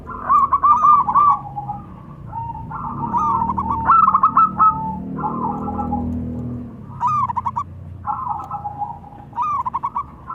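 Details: Local zebra doves, male and female, actively calling back and forth: repeated bursts of fast, clipped cooing phrases, overlapping at times, with a soft low rumble beneath.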